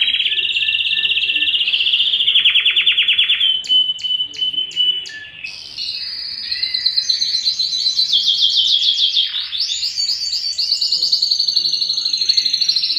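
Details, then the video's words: A yellow canary sings a loud, continuous song of high rolling trills, buzzy sustained notes and a few sharp clicked pulses, shifting pitch between phrases with no pause. "yellow canary singing"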